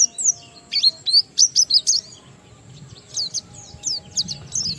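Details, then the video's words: Oriental white-eye ngalas song, played to provoke other white-eyes into singing: quick high chirps and sliding whistles in a burst, a short lull, then softer high twitters. "Burung Pleci Gacor NGALAS Isian sambung Riwikan"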